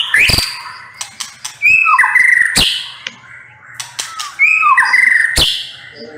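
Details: Song of a white-rumped shama in two phrases, each a sharp click followed by rich, falling and rising whistled notes, with a pause between.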